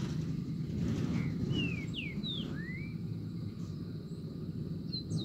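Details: Green-winged saltator singing in the bush: a short run of clear whistled notes, some sliding down and others sweeping up, delivered over about two seconds, with a few fainter high notes later and a steady low rumble throughout.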